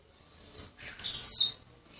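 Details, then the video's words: Newly arrived captive Blue-black grassquit from Jacarepaguá, Rio de Janeiro, Brazil: a high, thin buzzy phrase building into a louder downward-sweeping buzz, single short burst with faint background hiss. "Tiziu de cara "40 GRAUS x FORA DE CONTROLE"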